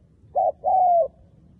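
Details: Decoy spotted dove calling wild doves in for trapping: a brief husky coo followed by a longer, smooth, gently descending coo, loud and clean against a quiet background.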